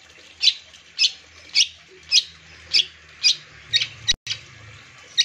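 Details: Long-tailed shrike calling to provoke other shrikes into singing: harsh, buzzy notes repeated at a steady beat, about one every half second, with a faint low hum underneath and a brief dropout near the end.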